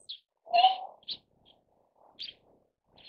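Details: Siberian crane with a loud, drawn-out bugled note followed by short, sharper clipped calls spaced irregularly across a few seconds, with quiet gaps between.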